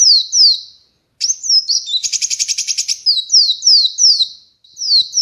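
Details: Ruby-cheeked sunbird held in the hand outside a cage in Indonesia, singing loudly: high descending whistled slurs, broken by a short pause, then a rapid buzzy chattering trill before the downslurred notes resume.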